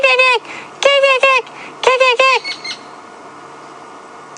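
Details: White-crowned Shrike at Djuma Game Reserve, South Africa, on an afternoon drive on 29 February 2016, gives harsh, nasal squawks in three short bursts of quick, arched calls, alarming at a nearby hunting tawny eagle.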